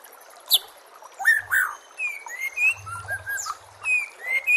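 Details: Master song of a white-rumped shama used to train and lure murai batu, with nature sounds and running water: scattered whistled slurs and a sharp high note, with soft low hums in the middle.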